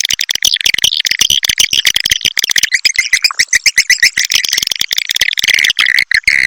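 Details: Swiftlet call of the Triple X Vietnam style, used as a lure to attract swiftlets: loud, dense, fast-chattering twitters packed tightly together, continuous throughout with rapid rhythmic stutters.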